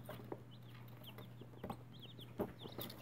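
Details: Newly hatched chicken chicks, hatched for Easter 2018, give scattered short high peeps, fainter and sparser here, over a steady low electrical hum with occasional soft tapping and scratching.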